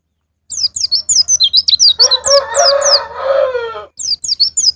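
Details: White-eye song used as a lure to prompt caged birds to sing: rapid high, thin, downslurred chirps repeated in a fast series, interrupted midway by a lower, harsh drawn-out sound resembling a rooster crow, then the chirping resumes.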